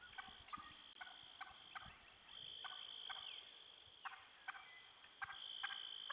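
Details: Wild turkey hens disturbed by a poacher's endless calling near sunset: rapid series of clipped, harmonic clucks, several per second at first, then spaced bursts, with a persistent high-pitched insect drone throughout.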